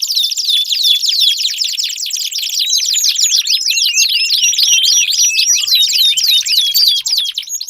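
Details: Canary song meant to get a silent canary singing: long rapid trill of high sweeping notes with rolling rattles and occasional clear whistles, barely pausing.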